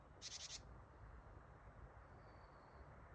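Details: Japanese tit recorded near the camera, 8 December 2025, uttering the "ji-ji-ji-ji" gathering call: a brief harsh buzz of about four fast pulses, then quiet with a faint thin whistle afterwards.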